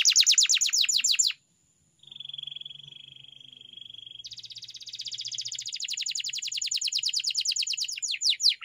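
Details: Domestic canary training song: fast buzzy trills of rapid descending notes, a pause, then a steady flat whistled roll for two seconds, followed by a long dense rattling trill that speeds up.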